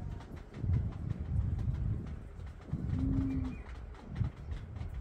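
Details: A courting male Common Bronzewing flirts with his mate in a yard while a young Red-capped Parrot bathes nearby. Deep, gravelly growls pulse through, broken by a clear, low, level 'oom' lasting about half a second.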